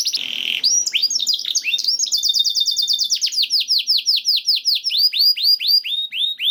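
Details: Canary song in a masteran recording that prompts other canaries to sing. Opens with a brief buzzy note, then long, steady trills of quick repeated sweeping notes that gradually slow.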